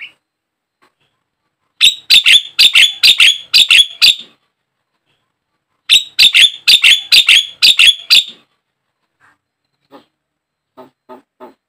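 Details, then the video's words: Javan myna calls used as a lure to make caged mynas sing: two bursts of six to seven harsh, rasping notes in quick succession, separated by a pause, with faint scattered clicks afterward. "pancingan, pikat burung jalak kebo, mustahil kalau tidak ikut gacor burung jalak anda"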